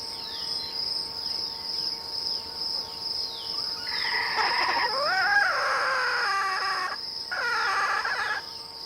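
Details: Wild red junglefowl lured by decoy hunting in rural countryside, giving a harsh, broad crow from about four seconds in, a drawn-out middle section followed by a second burst, over a steady high insect drone with repeated chirps.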